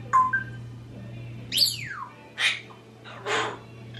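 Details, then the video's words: Two pet parrots, a 26-year-old African grey and a 16-year-old Quaker, alone in a room: short tonal whistles, a long falling whistle, then three rough noisy squawks spaced about a second apart, with background hum. "When Parrots Are Left Alone"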